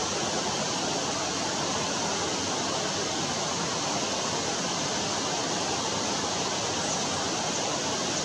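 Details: Continuous roar of rushing water, like a waterfall or fast stream, with nothing else audible.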